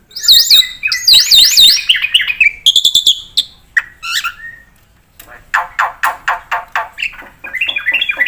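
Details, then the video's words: Black-winged myna in varied, energetic song used as a tutor recording: wavering whistled notes in a looping pattern, metallic rattles, dropping squeaks, then a run of rough chirps and higher whistles. "pakai suara burung jalak putih gacor full isian buat pancingan dan masteran pasti nyaut"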